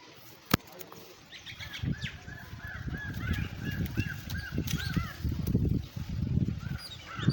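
Several birds give short, rising-and-falling chirps in quick succession, many overlapping, over a heavy low rumble of wind or distant murmuring.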